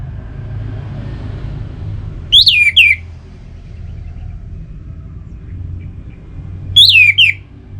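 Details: An Orange-headed thrush gives two short whistled phrases about four seconds apart, each a quick rising then falling slur with a trailing note, over steady low background noise; used to coax kept birds into song.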